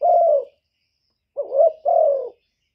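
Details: Decoy spotted dove cooing to stir up rival doves: one drawn-out low hoarse coo, a pause, then a three-part phrase of a short rising note and two longer mellow coos.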